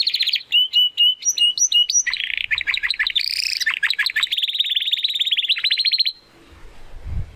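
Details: Spanish Timbrado canary, young and still learning its full song, sings whistled notes leading into sweeping buzzy phrases and a long, fast, even trill lasting several seconds before falling silent, with faint low rumble at the end.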